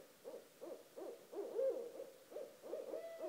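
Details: Two barred owls outside a house at 1:30 am give quick, evenly spaced low hoots, about three each second, rising and falling in loudness, with a brief pause midway.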